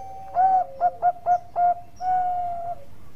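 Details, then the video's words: Actively singing zebra dove of the Bangkok type: soft steady tone, then a loud coo, four short quick coos and a long smooth final note, mellow and mid-pitched in a quiet setting. "Perkutut Bangkok Gacor"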